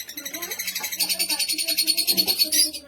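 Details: Caged Lutino opaline lovebirds chattering in a rapid, continuous stream of high, buzzy pulses, several notes per second, with faint low background murmur.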